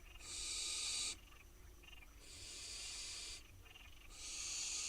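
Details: Wild barn owl fledglings on their nest box in Israel, waiting for food, give harsh, breathy hissing screeches: three long rasping bursts of one to one and a half seconds in five seconds, with fainter hisses between.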